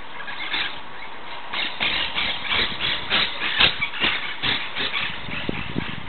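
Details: Monk parakeet (Myiopsitta monachus) calling on 17 July 2008, harsh, grating screeches in quick bursts, about two per second, over a steady rumbling background.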